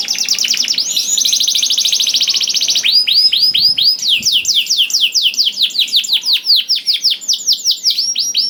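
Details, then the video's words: Singing canary, played to make other canaries start singing quickly: a long dense buzzy trill, then a fast series of repeated high falling whistled notes at steady rhythm, clear and loud throughout. "DENGAR SUARA KENARI DI JAMIN KENARI NYAUT SEKETIKA"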